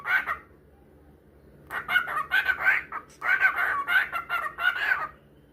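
A cockatiel sings a string of warbling, whistled phrases with short pauses between bursts.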